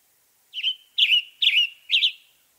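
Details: Western tanager, a songbird of western North America, singing four short burry, hoarse phrases in quick succession, each a rough two-part chirp spaced about half a second apart, in a quiet setting.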